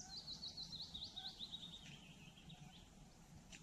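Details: Hazel grouse with young at the nest giving a quick series of very high, thin, wavering notes that trail off after two seconds, over a low steady rumble.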